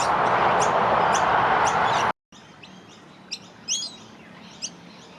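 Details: Juvenile noisy miners being fed by their parents in Keppera, Brisbane, Queensland, in early spring: high, evenly spaced chirps over loud hiss, then after a brief gap, softer squeaky notes and a louder slurred chirp in quiet surroundings.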